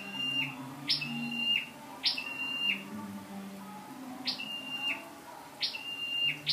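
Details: Lure-bird scarlet-backed flowerpecker, 12/10/14: series of high, sharply falling notes each trailing into a thin flat whistle, irregularly spaced about once a second, low hum underneath.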